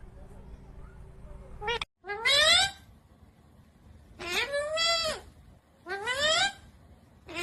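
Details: Green rose-ringed parakeet speaking in loud, bright, nasal syllables, each rising then dipping, three main words spaced about two seconds apart, separated by quiet background murmur.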